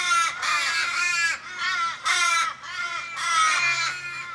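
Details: Australian ravens mourning a dying flock member in a Kellyville street, Sydney, 1 July 2012. Repeated drawn-out, sobbing caws, roughly one a second, overlapping from several birds, each dropping in pitch as it fades.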